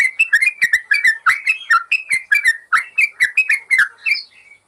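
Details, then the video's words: Yellow-vented bulbul training master for caged birds that fall silent: rapid bubbly whistled phrases with ticking clicks, finishing on a higher thin note before the song stops. "Masteran burung trucukan"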